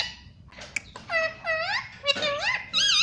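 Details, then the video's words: Parrot kept as a pet, talking and imitating words like mummy and papa: clicks, then nasal harmonic syllables that rise and dip, ending on a sharp, high wavering note. "parrot talking everything"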